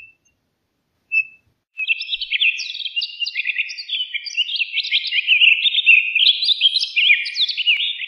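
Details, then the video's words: Continuous rambling song of a Townsend's solitaire after a brief single note: a fast, unbroken stream of high, clear warbled notes sliding up and down, lasting over six seconds. "Townsend's Solitaire Song! Townsend's Solitaire Call! - Solitario Norteño Canto"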